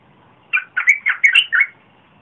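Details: Red-whiskered bulbul song, 30 April 2021, a strong-voiced recording meant to lure wild birds and for young birds to copy; one lively phrase of about six rich, chirpy whistled notes.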